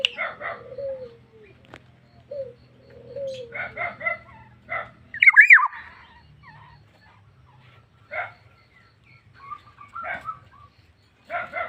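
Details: Black-naped oriole mixes low sliding whistles with repeated harsh, nasal, buzzy notes and one loud twisting whistle, with a faint low hum behind.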